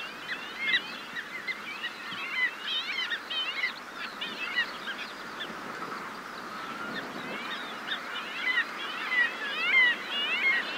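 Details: Several Arctic Skuas calling in flight; repeated nasal, wailing, up-and-down calls, some sharply rising, from multiple birds, over steady seawash and wind with a skylark singing in the background.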